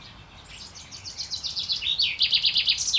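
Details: Courting male chaffinch on 28 May 2024 building a song from soft high notes into a fast, regular trill that drops slightly in pitch and ends in a brief sharp flourish.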